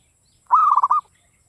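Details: One short phrase from a local Javanese zebra dove in classic Mataram style: a smooth sustained coo followed by three or four fast bubbling beats, clean against a quiet background.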